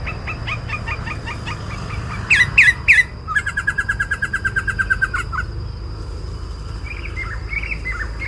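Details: Sooty-headed bulbul calling in the wild where birds are being lured for trapping: a run of short, bright chirps repeated about three times a second, then a dense burst of quick notes, over steady rural background hum.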